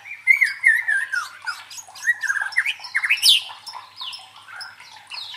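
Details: White-rumped shama song used as a fighting lure: loud warbled whistles sliding downward, then mixed chattering notes, a sharp rising squeal and softer varied phrases.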